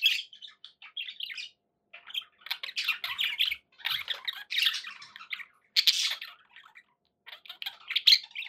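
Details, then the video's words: Pet budgies produce harsh squawks and scratchy warbled bursts, separated by short silences, in an indoor room. "budgie sounds"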